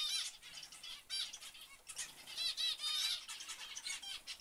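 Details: Several zebra finches giving quick, bright, nasal chirps in overlapping clusters, some notes bending slightly in pitch, with loud bursts near the start and again in the middle.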